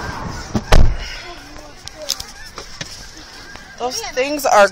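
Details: Geese being fed by visitors at an aquatic center in Hereford, Texas; a quiet stretch with a few thumps gives way near the end to a burst of loud, nasal, overlapping honks.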